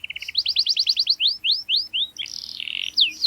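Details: Rolling, sharp canary song for young canaries to learn: short low trill, then fast repeated swooping whistles that slow and spread out, followed by a harsh buzzy phrase and more slurs.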